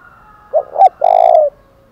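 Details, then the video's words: Spotted dove giving a 'thổ đồng' style challenge coo used to provoke fighting: two short low hooting notes, then a longer, steady, slightly vibrating coo, clear against a quiet background. "tiếng chim cu cườm THÚC đấu vang cả buôn làng"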